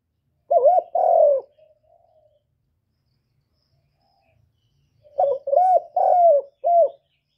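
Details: Spotted dove cooing: the end of one phrase trailing into a soft murmur, then after a pause a full four-note phrase of low, mellow hoots. The third note is drawn out and falling, and the last is short.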